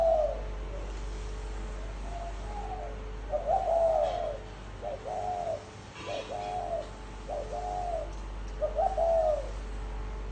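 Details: Series of short, bubbling low coos from a spotted dove in the gáy gù style, six brief rolled phrases about one second apart, over a constant low hum.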